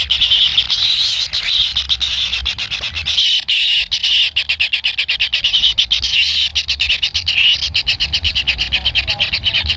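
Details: Impatient wild kingfisher chicks in the nest wait to be fed by a parent. A high, harsh buzzing chorus is broken into rapid irregular pulses, growing into quick stuttering bursts in the later seconds.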